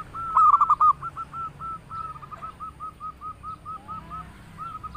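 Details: Local zebra dove in lively song: one loud rapid cluster of hooked coos, followed by a long even string of softer rolling notes, about three per second, steadily repeated.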